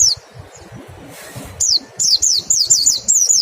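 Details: Mountain white-eye, pleci, giving 'nembak' song as a singing lure: one high falling note, a pause with soft rustling, then a quick series of shrill, downward-swooping chirps.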